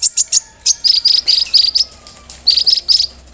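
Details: Energetic konin bird song rich in mimicry, played to coach other cage songbirds: clusters of shrill high notes and repeated bright whistled phrases in short bursts.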